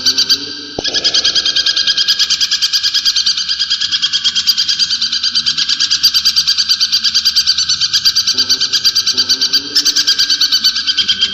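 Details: Brown shrike, a cage bird prized for mimicry, sustaining a long harsh chattering trill of steady rapid pulses, with a click at the start and faint low background rumble.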